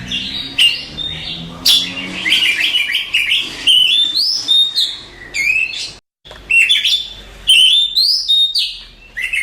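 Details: Contest champion Oriental magpie-robin in rich song: clear whistles, rapid chattering notes and sharp upward sweeps, broken by a brief silence near the middle before the varied phrases resume.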